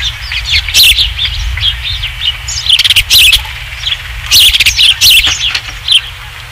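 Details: Osprey calling at a nest, Dunrovin Ranch, 27 July 2016, near the third fish: scattered high chirps at first, then two loud clustered bursts of sharp whistles over a constant low hum.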